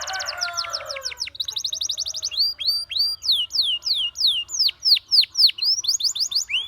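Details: Canary song played to draw other canaries into singing: a low warble with fast trill, then a long series of slow, loud downward-sweeping notes about two per second, clean background.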